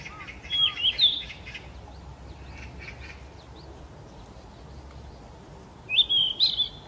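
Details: Yellow-rumped flycatcher, a summer migrant in Gyeonggi Province, South Korea, singing in early May: a whistled, slightly warbling phrase at the start and another rising fluty phrase about five seconds later, with faint chatter of other birds.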